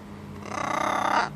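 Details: A pet macaw outdoors in the sunlight in autumn, making its macaw noises: a single harsh, raspy squawk of about a second with a rough, buzzing texture that swells then cuts off abruptly.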